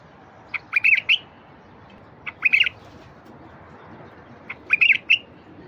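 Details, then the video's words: Song of a wild bulbul, meant to coax silent wild bulbuls into song: three matching short, gurgling whistled phrases about two seconds apart, each a rapid cluster of bright notes. "تغريد لفتح البلابل الوحشية الساكتة"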